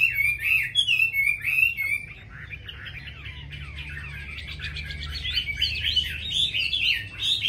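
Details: Chinese hwamei sings clear whistled phrases, softens briefly into quieter twittering, then returns with loud rapid slurred notes, with a low steady hum behind.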